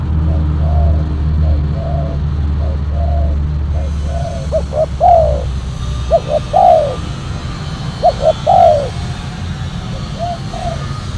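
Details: Spotted dove cooing during decoy trapping with a silver, black-collared lure dove. Soft paired coos are followed by a louder rising-falling note, with phrases repeated every two seconds or so. Steady low rumble and wind noise underneath.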